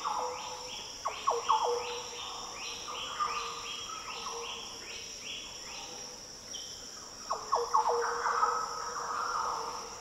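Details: Green Oriole singing in Daintree rainforest, tropical Australia: a quick series of repeated liquid, slurred notes, a pause, then a fuller fluty phrase, all over a high, even insect drone.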